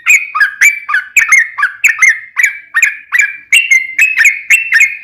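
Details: Long 'ropel' song of a sooty-headed bulbul (trucukan), used as a lure to provoke other birds; bright whistled notes with upward flicks, repeated about three times a second in a steady run.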